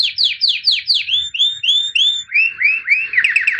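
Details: White canary, albino, delivering a rhythmic series of downward-swept chirps, roughly four per second. They drop lower in pitch partway through, then speed into a quick flurry at the end.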